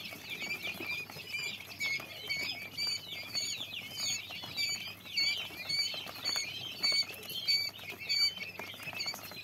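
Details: Several common quail chicks peeping together: rapid, high, squeaky notes in overlapping bursts roughly every second, with soft rustling and tapping beneath.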